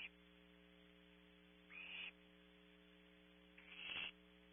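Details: Barn owlet at the nest on a ranch camera in California: two hissing, raspy screeches about two seconds apart over a loud steady electrical hum.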